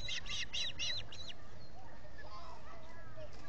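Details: Osprey at a Finger Lakes nest in the US on 19 July 2021, with three birds present, recorded by a solar-powered nest camera. Five quick piercing chirps open the recording, then songbirds sing over a constant low hum.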